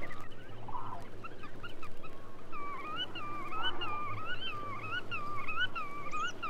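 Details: Black-tailed Godwit (Limosa limosa) giving nasal, wavering, up-and-down calls in quick repeated phrases, growing steadier and louder midway, over a low rumbling hum.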